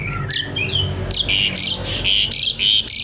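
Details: Javan pied starling in loud chattering song: a few sliding whistles, then a run of harsh, buzzy rattling notes repeated rapidly.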